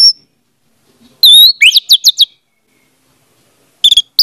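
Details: Orange-headed thrush song for prompting a silent bird: a high note, a pause, then a loud, quick phrase of descending whistled slurs, closed by a brief burst of sharp chips.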